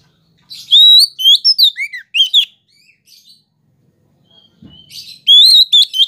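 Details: Oriental magpie-robin (kacer) song, used as a lure sound to provoke other magpie-robins: loud bursts of clear whistled notes, some rising and some sliding down, in two phrases split by a quiet gap with soft twittering.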